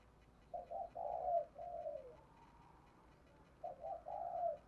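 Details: Spotted dove double cooing, a lure call used to draw in and excite wild doves: two soft, low cooing phrases, each a short stuttered note then a longer burred coo that falls away, separated by a pause, in a quiet setting.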